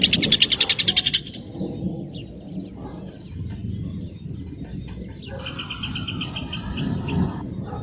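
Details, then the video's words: Rufous hornero singing: a loud, rapid burst of sharp, even notes opens, then quiet with a low background rumble and a fainter repeated series of notes near the end. "CANTO DO JOÃO DE BARRO 🐦 SOM DO JOÃO DE BARRO CANTANDO"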